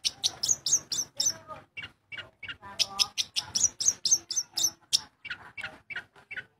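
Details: Long-tailed shrike in Bojonegoro singing hard, a fast chatter of sharp, squeaky high notes, around four per second, broken by a short pause midway, over quiet low noise.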